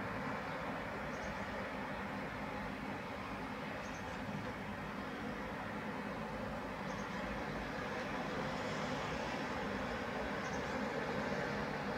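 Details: Steady rumbling road or rail traffic fills the whole stretch, with no clear bird or other animal voice rising above it.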